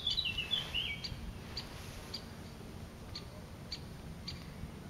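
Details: Great spotted woodpecker pair feeding young: a burst of high chattering notes at the start, then short high call notes repeated about every half second, over low rumbling background noise.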